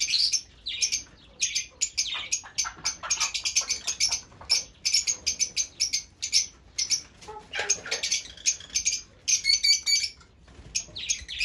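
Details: Fischer's lovebirds giving dense, rapid high chattering: sharp shrill chirps and squeaks packed in bursts, some buzzy harsh notes, with brief pauses between flurries.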